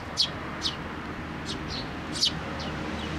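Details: Juvenile sparrows arriving to be fed at a shrine post, Tenmangu, 25 May 2024; four or five crisp descending high chirps, two louder ones about two seconds apart, against faint background murmur.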